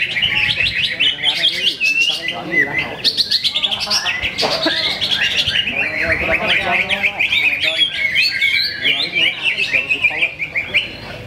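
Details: First-place greater green leafbird performing at a Ramadan practice contest in Sungai Batang Jawai: unbroken fast chattering song full of quick rising and falling slurs, strong throughout, with loud crowd voices and cheering underneath.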